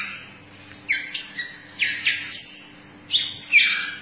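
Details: White-rumped shama with a long tail, singing while bowing in a saluting-the-judges style. Three loud, rich bursts of high whistled and rasping notes come about a second apart, with a low steady hum beneath.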